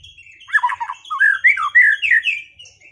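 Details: White-rumped shama after moulting, in a song duel to bring back its performance: a quick run of low chattering notes rising into loud, slurred whistled phrases.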